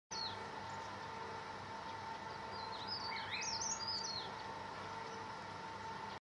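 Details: Lone Chestnut-capped Laughingthrush at Gunong Ulu Kali, Pahang, on the morning of 23 January 2011, surveying the observer; its companion calls once. A short burst of quick, squeaky, twisting high chattery notes near mid-clip over a steady droning hum.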